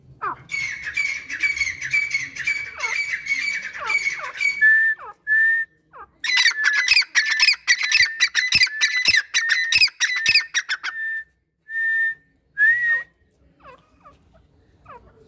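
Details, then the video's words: Grey francolin (teetar), a male calling with his female: loud, harsh, squawking notes rattled off rapidly in two long bursts, broken by short steady whistled notes and brief silences, ending in a few softer notes. "Teetar Making Sounds | Teetar Voice"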